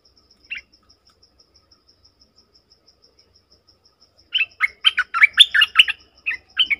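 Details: {'caption': 'Bulbul recorded 20/03/2022: a short chirp, then about two seconds of quick, loud chattering phrases that jump up and down. A steady, evenly pulsing insect tone runs throughout.'}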